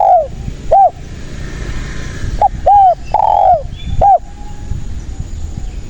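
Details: Spotted dove, locally tekukur, recorded as a lure for trapping other doves: loud, low, arched cooing notes repeated at irregular intervals over steady background hiss.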